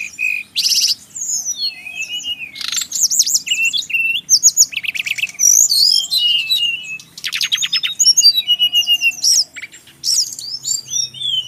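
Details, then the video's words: Male brown-chested jungle flycatcher, Bali, giving a long varied song: bursts of dense buzzy trills alternate with clear slurred whistles and quick chirps, almost continuous. "suara burung SIKATAN RIMBA"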